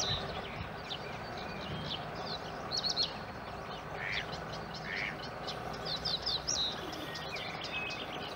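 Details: Eurasian coot chicks, some in the nest, being fed by parents at a pond in Winterthur. A stream of high, thin peeps builds toward the end, with a few lower rasping notes mid-clip and steady background hiss.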